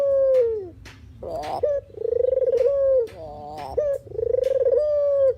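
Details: Puter or deruk dove, a recording used to attract birds for trapping; repeated coos, each opening with a coarse note, rolling into a pulsed purr and a held tone that dips at the end.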